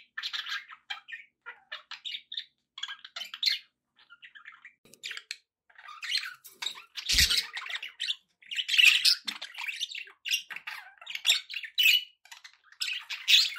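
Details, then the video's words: Pet budgies chatter steadily for over ten seconds: busy, scratchy warbles and squeaky chirps in irregular bursts, interrupted midway by a single loud broadband knock. "relaxing budgie sounds for your birds"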